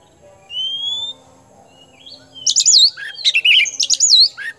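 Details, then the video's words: Kemben-type oriental magpie-robin, called a hot-tempered and prolific singer, opens with a clear rising whistle, then breaks into loud, rapid phrases of twisting whistles and warbles with short gaps between them. "KACER KEMBEN TIPE PANAS GACOR POSTUR MENAWAN"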